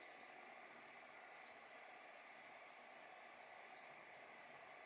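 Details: Meadow bunting recorded by digiscoping with a spotting scope and compact camera in mid-November 2020. Two quick bursts of three very high, thin ticking notes, about four seconds apart, against faint background hiss.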